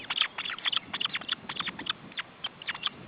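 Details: Osprey chicks at the nest during feeding, June 2012: rapid, high, sharp chirping notes, many overlapping, in quick irregular bursts of about three to four per second, with little background noise.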